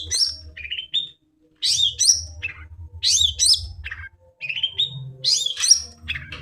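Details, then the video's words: Lively song of a long-tailed shrike, played to encourage birds that have gone quiet: loud, sharp phrases of steeply falling whistles mixed with lower chattering notes, separated by short pauses, with a faint low hum. "cendet gacor"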